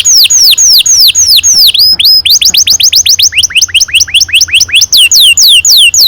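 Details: Canary singing a long, lively song used to coax young canaries into singing: loud, clear whistled notes slurring downward, repeated rapidly in runs, with a brief faster rising series in the middle.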